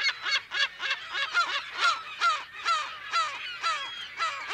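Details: California gulls in a colony, mono recording with unknown date: a close bird gives loud, harsh, downward-slurred yelping calls about twice a second, with other gulls calling behind it.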